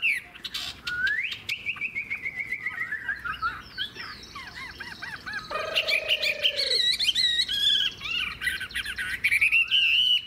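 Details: Old wild-caught Chinese hwamei, described as fig-leaf-tailed and long-bodied, singing well: a rich, varied run of loud clear whistles, sliding and warbling phrases, with quick trills and a brief lower tonal note midway.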